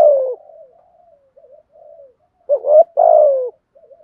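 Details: Spotted dove in the 'thúc gù' cooing style for rousing decoy birds: a strong falling coo, faint murmured notes, then a short rising coo followed by a long drawn-out falling one.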